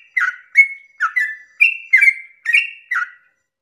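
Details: Dawn song of a sooty-headed bulbul in 'ropel panjang' style, aimed at drawing other bulbuls into singing: seven clear whistled notes with gritty starts, alternating higher and lower, ending in silence.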